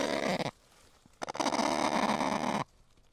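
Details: Harsh, broadband screeching from a kakapo: one short rasping burst, a brief silence, then a long grating call lasting over a second with a rough, buzzy texture.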